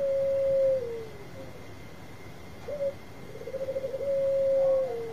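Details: Zebra dove of the Bangkok type, a loud lure singer prompting replies: a long level coo falling at the end, a short double note, then a rippling trill merging into another sustained coo that dips down; light hiss behind.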